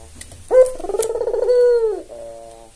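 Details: Tame albino Barbary dove, white with red eyes, used as a lure for lazy doves: one sharp rising note followed by a rolling, purring coo that holds steady then drops.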